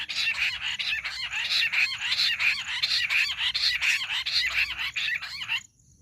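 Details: Jungle bush quail calling for hunting use: steady, loud, harsh high-pitched bursts repeated rhythmically, about one and a half per second, ending abruptly near the close into quiet.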